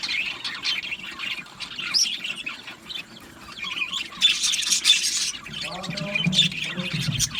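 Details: Budgerigars chirp and warble in an aviary colony, the chatter dipping quieter mid-way before loud squawks return, with a low rustling, flapping sound near the end.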